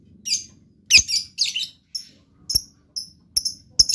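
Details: Caged lovebird singing in a showy, lively style: clusters of sharp, high, shrill chirps and trills in bursts, with short clicks and pauses between them, repeated through the recording.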